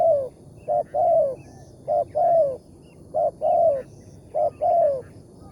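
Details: Wild spotted dove with a deep, big voice, recorded on a morning trip to trap it. Four regular phrases, each a quick note followed by a longer, downward-curving coo, roughly one phrase a second.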